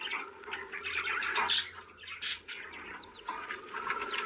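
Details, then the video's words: Happy pet budgerigars chattering as a flock: busy, overlapping chirps and warbles with a few sharp high tweets, fairly soft against a steady background hiss. "Happy Budgies Making Sounds || Happy Budgie Sounds"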